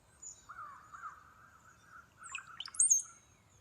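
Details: A recorded Brown-headed Cowbird call, played in Northern Virginia woods in spring as the species migrates north from Central America, gives low, liquid gurgling notes like someone drinking, ending in a thin, sharply rising high whistle like a sigh.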